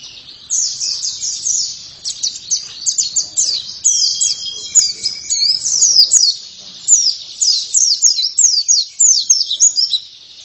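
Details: Long, busy song of an oriental white-eye: dense strings of very high, quick chirps and slurred notes packed closely together, with a few sharp clicks and a brief faint whistle in the background.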